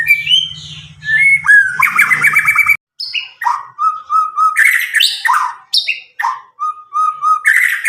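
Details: Untutored White-rumped shama from Medan, roughly nine months old, with a loud, clear voice used to encourage other shamas to sing: varied whistled phrases, sharp downslurs and repeated level notes, a low hum early on.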